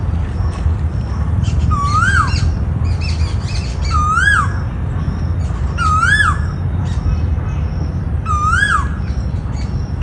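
An Asian koel repeats a loud, clear, upslurred whistled note about every two seconds, over a steady low rumble with a few scattered clicks.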